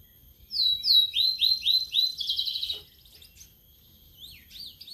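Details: Newly kept caged sulingan laut (tledekan laut), singing after three days in care: a run of quick upward-slurred whistles, about four per second, merging into a fast warbling trill, then a pause and brief high notes.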